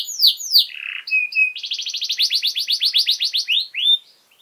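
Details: Singing canary, a tutor recording for young birds: two swooping notes, a short buzzy burst and thin whistled tones, followed by a rapid even trill and closing slurred notes before silence.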